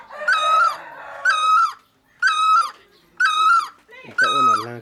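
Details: Great barbet, known in Hmong as noog dab laug or noog ab hau, giving five loud, nasal, wailing notes, each held briefly then dipping at the end, repeated about once per second; a lower rough sound overlaps the final note.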